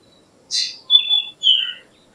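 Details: Short black drongo (Dicrurus macrocercus) phrase: one harsh, broadband note, then two clear, slightly falling whistles, the whole sequence lasting about one and a half seconds in a quiet setting.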